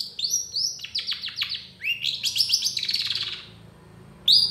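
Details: Gacor long-tailed shrike singing loud tembakan phrases: fast run of descending chattered notes, then a rasping buzzy trill that fades, and a final sharp whistled note.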